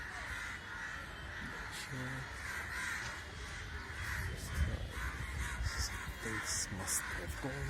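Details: Many crows gathered in a group, their overlapping raspy caws forming a constant noisy wash, with a few lower, deeper calls and occasional sharp clicks breaking through near the end.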